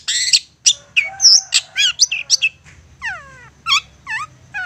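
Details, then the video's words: Long-tailed shrike giving an insistent provoking song meant to make other shrikes answer and sing: rapid varied notes, sharp high chirps, then a run of downward-sweeping slurred whistles, with a faint low hum beneath. "Apapun Cendet nya AKAN LANGSUNG MERESPON dan NYAUT lanjut GACOR dengan pancingan Cendet ngotot ini"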